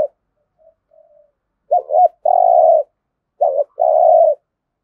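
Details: Spotted dove, Đồng Nai, Vietnam, thúc gù competition cooing: after soft distant coos, two loud phrases each open with a clipped double note and end in a long even coo.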